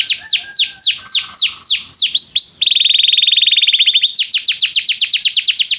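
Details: Canary training song meant to prompt a canary to sing: a loud series of downward-sweeping whistled notes, then a rapid fine rattling trill, then another run of quick falling sweeps.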